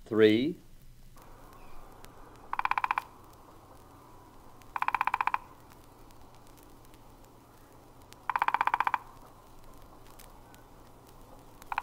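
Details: Common starling (Sturnus vulgaris), song.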